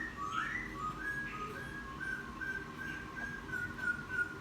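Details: Wild-caught laughingthrush settling after ten days kept, singing after a bath: a rising whistled flourish followed by a long run of steady, clear whistled notes at even pitch.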